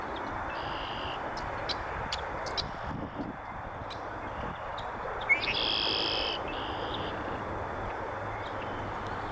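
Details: Red-winged blackbird of North America marking territory beside a beaver pond, northern USA. A softer buzzy trill early on, then a loud one after a short sharp note, with a brief extra buzz just after, over a constant background rush.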